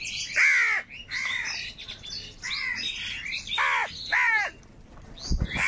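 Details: Crows fighting for food in a gathering flock; loud harsh downward-curving caws in bursts, about five calls spaced roughly a second apart, with other crows calling faintly in the background.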